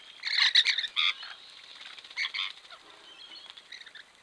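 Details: Rainbow lorikeets (Trichoglossus moluccanus), local birds caught on a camera trap while bathing and splashing, give harsh raspy screeching bursts, loudest in the first second and again near two and a half seconds, then trail into softer scratchy chatter.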